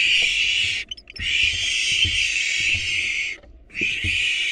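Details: Barn owl nest during an attack by an intruding female on the nestlings: long, loud, harsh hissing screeches, broken by two short pauses, over faint low knocks.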